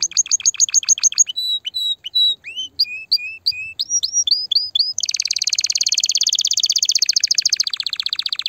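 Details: Strong canary song for stimulating mating: rapid high chips, then slower varied notes including low whistles and upward slurs, switching at five seconds into a dense, buzzy rolling trill that lasts to the end.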